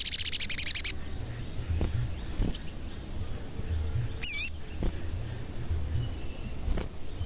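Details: Crimson sunbird singing in a lure recording for provoking other sunbirds. A rapid high trill of about ten pulses lasts a second, followed by quiet with isolated chips and one short wavering whistle.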